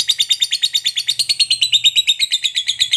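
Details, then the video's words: Lovebird fighter giving a long ngekek chatter meant to provoke other lovebirds into answering: a rapid, steady run of sharp, high chirps, about three per second, sustained without break across the whole stretch. "Suara Burung Lovebird FIGHTER Ngekek Panjang PANDAI Pancing EMOSI, Apapun Lovebirdmu PASTI NYAUT"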